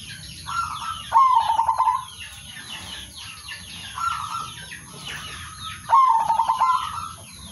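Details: Local male zebra dove calling rivals and serving as a trapping lure; rolling trilled coos repeated roughly every five seconds, softer lead-in notes, other birds chirping continuously.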